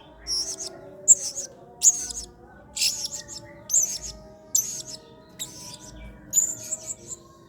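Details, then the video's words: A blue-crowned hanging parrot gives a model song in the 'main singa' style for training other birds. Short bursts of piercing, high, raspy chirps repeat roughly every second, with soft sustained tones behind them. "MASTERAN WAJIB !! BURUNG SERINDIT GACOR PENUH EMOSI MAIN SINGA"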